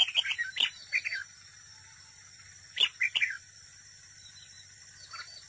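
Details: A red-whiskered bulbul decoy sings in a contest at a trap, with a quick descending series of bright chirps, a pause, a second short tumbling phrase, and a faint final note.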